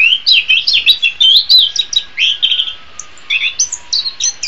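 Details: Orange-headed thrush song meant for training birds: a fast chattering warble of wavering whistles, a short pause, then separated high sharp chirps.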